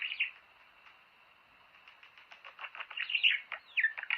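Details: Budgerigar song played to stimulate mating; quiet start, then from about two seconds a fast, chattering warble of short buzzy chirps and squeaky notes, growing louder toward the end.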